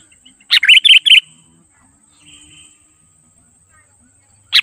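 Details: Gacor song of a sooty-headed bulbul, played to draw wild birds near. One lively phrase of four clipped, bubbly whistled notes, then near silence with a faint steady high whine, and another phrase starting at the end.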